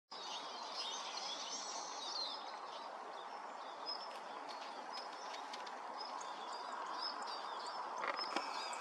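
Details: Eurasian siskins gathering as a flock: many thin, high chirps and short twitters scattered irregularly throughout, overlapping one another above a steady broadband background hiss.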